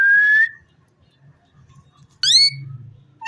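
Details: Talking rose-ringed parakeet: a level whistled note, a long gap, then a sharp rising, overtone-rich squeak and a final brief call, with a faint hum throughout.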